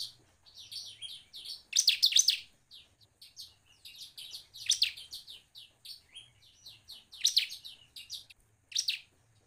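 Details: Singing bar-winged prinia, its song meant to prompt other prinias to sing; sharp, high chirps tumble out in rapid phrases, loud bursts standing out against quieter steady chipping.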